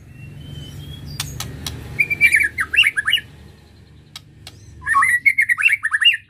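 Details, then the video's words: White-rumped shama kept caged and provoked to excite it delivers two bursts of loud, varied whistled song with sharp falling slurs and chattering notes, separated by a pause with a few clicks. "Ketrekan Murai Batu Untuk Merangsang Emosi"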